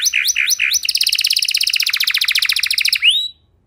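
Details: Singing canary, song meant to prompt other canaries to sing: three swooping whistled notes, then a fast even rattling trill of clipped syllables ending in a rising whistled sweep before silence.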